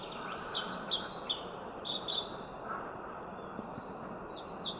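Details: A male European pied flycatcher sings in spring to advertise its territory, a quick phrase of high, sweet, slightly buzzy notes in rhythmic pairs.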